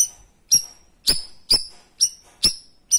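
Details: Piercing 'tembakan' shots of a cream-striped bulbul, used to train other birds: seven sharp high notes with hard clicky onsets, spaced roughly half a second apart.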